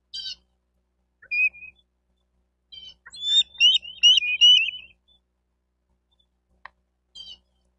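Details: Bald eagles at a nest in Miami-Dade County, Florida, on 28 May 2023: high, thin chittering notes and a burst of squeaky piping in the middle, with short separate calls before and after.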